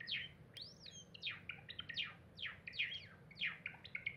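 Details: Pet cinnamon Java sparrow singing while gazing out a window, 7 Apr 2021: a quick run of high clicks, chips and downslurred notes, three or four phrases a second, over faint room hum.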